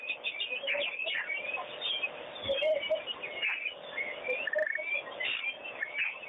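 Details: A flock of wattled starlings bathing at Pete's Pond, keeping up a continuous babble of squeaky chirps, short whistles and buzzy notes from several birds at once.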